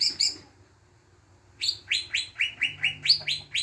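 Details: Greater green leafbird song used as a lure to prompt other birds to sing: two sharp chirps, a silent gap, then a fast series of descending chip notes repeated about twice a second over a faint low hum.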